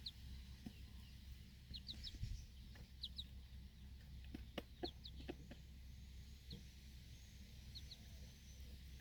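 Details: Backyard hen with her four chicks outside at feeding time, alert to protect them; clusters of thin high falling peeps, sometimes in twos and threes, plus scattered clicks over a deep steady hum.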